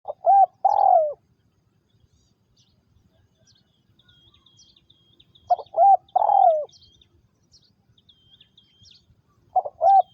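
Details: Spotted dove kept as a ground decoy for trapping wild doves in Vietnam, 2022, cooing in three-part phrases: two short notes, then a long falling coo, repeated about every five seconds, with faint high chirps behind.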